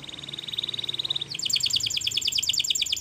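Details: Spanish Timbrado canary singing a training song: a fine, rapid metallic roll that switches to a louder, higher rattling trill, over a low background hiss.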